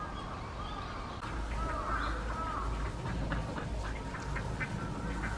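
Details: Spot-billed duck recorded between July and December 2023 at the Kurome River and Sanpoji Pond; a few curved calls early on, then a loose run of short, nasal quacks repeating irregularly, with steady low background rumble.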